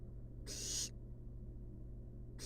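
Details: One breathy, snore-like hiss from a wild barn owl chick dozing in a nest box, followed by the start of another after a short pause, with a low hum behind.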